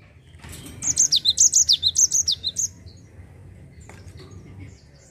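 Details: Java sparrow singing in the 'ngerol' rolling style to coax untrained birds into song. One two-second phrase of rapid, shrill notes zigzags up and down, then only faint background hum remains.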